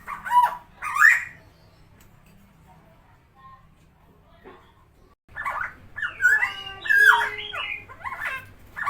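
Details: Captive tame helmeted friarbird (Philemon buceroides), Indonesia, gives two loud, harsh squawks, falls quiet, then breaks into a longer run of raucous, gurgling, cackling phrases.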